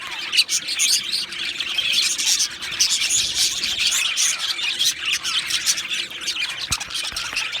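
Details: Pair of male budgerigars, Australian budgies, in constant warbling chatter: high squeaky chirps and harsher squawky notes blend into a steady stream, with a few sharp clicks scattered near the end.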